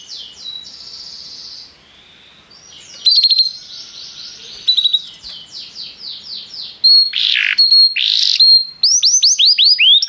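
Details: Restless canary singing: high trills and rapid repeated syllables, some soft and some loud, with sweeping downslurred notes, buzzy bursts and a fast run of rising notes near the end.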